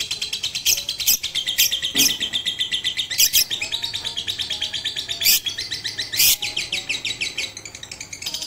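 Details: Caged lovebird on a roof, first training session of 18 April 2021 using a master recording. A sustained, fast, rhythmic chatter of shrill notes is broken by several sharp, louder clicks or chips.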